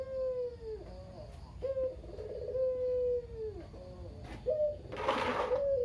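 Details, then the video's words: Local Barbary dove cooing kugeru-style as a lure for other doves: low coos in quick succession, each with a rolling trill and a long level note that dips at the end, with a brief rustling burst near the end. "Burung Puter Lokal (kugeru) gacor abis // Pancingan burung puter lain biar bunyi"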